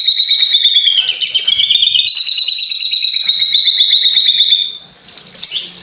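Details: White-rumped shama imitating a lovebird in energetic song: a long, dense, rapid buzzing trill that wavers slightly in pitch for about four seconds, then fades, followed by a brief sharp high burst.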